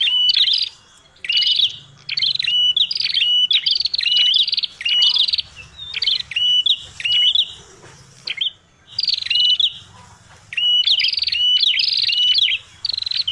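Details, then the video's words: Red-headed prinia call used as a bird-catching lure: busy, repeated bursts of high buzzy notes ending in a short flat whistle, delivered in rapid series with brief pauses between groups. "suara prenjak tamu prenjak kepala merah ribut paling jitu buat pikat"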